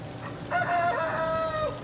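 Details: Eleven-week-old chickens in a play pen; one gives a drawn-out, strained, tonal squawk lasting over a second, rising slightly and then fading, after a brief softer note.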